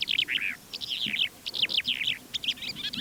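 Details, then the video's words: Calandra lark flight song in the Manych steppe near Divnoye, Stavropol–Kalmykia border, early morning of 21 April 2024: a fast, continuous stream of bright chirps, trills and slurred notes in varied phrases, faint wind rumble behind. "Стал пытаться записывать голос Джурбая в полете. И вот что из этого вышло."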